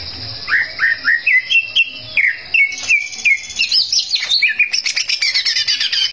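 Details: Greater green leafbird singing energetically to rile rival birds: repeated upslurred whistles, then quick warbled notes stepping up and down, ending in dense fast chattering phrases over a constant thin high tone.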